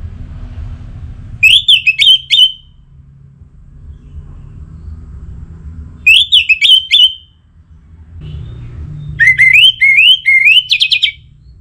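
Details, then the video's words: Orange-headed thrush repeating its song as a lure for other thrushes, Bali: three bursts of fast whistled warbling roughly every four seconds, the last longer and stepping upward, over low background rumble. "Anis Merah Gacorr Untuk Pancinggan Burung Punglor Jadi NGeplong Bahkan Teler Kalau Jantan"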